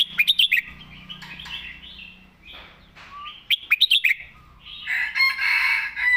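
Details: Loud, clear-voiced red-whiskered bulbul performing a southern master song: quick runs of sharp chirped notes alternating with rich warbled whistles, repeated twice, closing in a harsh, busy flourish.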